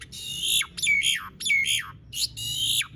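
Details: Asian pied starling singing steadily, played to prompt silent starlings to sing. Loud, harsh, rasping phrases sweeping downward, about four in three seconds, each with a clear whistled note inside.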